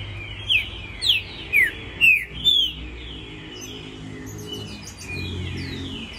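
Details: A captive 'pampo' green-winged saltator (Saltator similis), kept as a song-sport bird, sings five clear, slurred whistles in quick succession, about two per second, then falls quiet over a faint background murmur.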